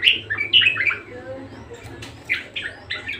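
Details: Budgerigar in persistent song: a quick run of high squeaky chirps, a quieter stretch of soft murmuring, then three short bursts of scratchy chatter, with a low hum throughout.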